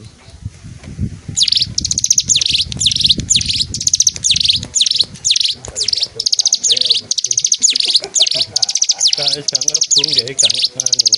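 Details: Caged East Javanese mountain bird from Kediri Regency, East Java, Indonesia, kept as a song tutor for magpies, singing and dancing. Low handling rumble first, then bright, sharp repeated notes about twice a second, ending in lower warbled phrases.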